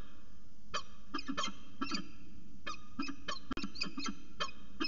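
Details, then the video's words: Peregrine falcon pair at CSU Orange on a January 2019 afternoon, trading a rapid series of short, sharp, clipped harsh calls at irregular intervals over a steady low hum. "Peregrine Falcon Long Afternoon Discussion"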